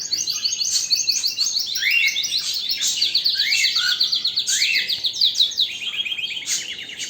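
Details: Canary singing a strong, continuous song: rapid trills and chattering phrases running between high and mid pitch, with fast repeated notes sweeping up and down throughout.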